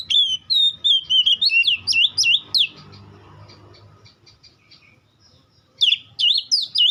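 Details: Oriental magpie-robin singing a song said to make any other magpie-robin answer; loud, rapid run of sharp whistled notes sliding up and down, a pause with faint soft chips, then the varied whistling resumes.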